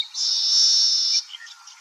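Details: Baya weaver singing: a single sustained buzzy, wheezy note of about one second, steady and high-pitched, followed by faint softer chattering notes.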